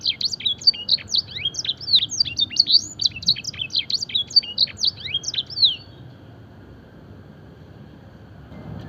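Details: Fancy canary singing a training song filled with blackthroat and edel sanger phrases: rapid, varied high whistles, trills and sweeping notes delivered in a dense run for about six seconds, then the song stops and only faint background hiss remains.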